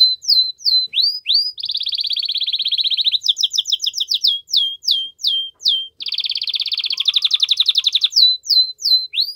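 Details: Strong canary song meant to stimulate a female to mate, alternating sets of rising swooping whistles with long rapid buzzy trills and fast chattering rolls, repeated throughout.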